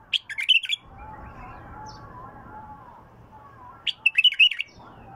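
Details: Bulbul with a pure, raw voice, singing two quick, loud warbled phrases at the start and end, with a low humming voice-like sound in between.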